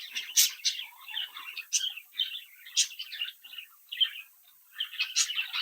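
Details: Young captive budgerigars from a home clutch, chirping and singing: scratchy warbled chatter broken by loud sharp clicks about every second, with a short quiet gap before the end.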